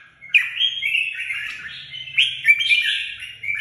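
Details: Vietnamese cage-bird red-whiskered bulbul in full song: an unbroken stream of slurred, whistled warbles with sharp accents near the beginning and after two seconds, over a faint low hum.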